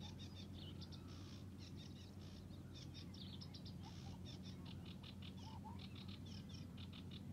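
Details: Sedge warbler singing from reeds at Hörningsholm, Alnö, Sweden, on 9 July 2021, still in full song; a long, fast run of chattering, scratchy notes and quick buzzy trills, varied and unbroken, over a steady low rumble.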